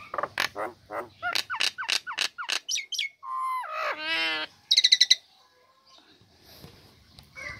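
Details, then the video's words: Female Nias hill myna, caged, singing right after its cage cover is lifted; used to lure lazy birds into singing. Loud rapid clicks and rising whistles give way to a long nasal harmonic note, then a burst of sharp chips. "Jalak Nias Betina Buka Krodong Langsung Gacor Cocok Untuk Pancingan Burung Malas"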